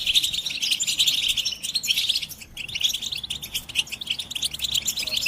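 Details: Collective European goldfinch chatter for motivating a silent male to sing; a thick stream of high twittering and trills, broken by one short gap partway through, then resuming just as densely.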